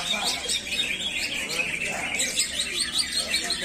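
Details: A greater green leafbird at a songbird contest on Monday 23 August 2021 sings a rapid, continuous stream of high, varied chirps and twittering phrases, with faint human voices underneath.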